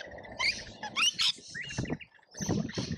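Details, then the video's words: Lorikeets feeding together at a feeder in Australia: a few harsh, high screeches and squeals between softer scuffling and low thumping noises. "Colorful Chaos Lorikeets Feeding Frenzy"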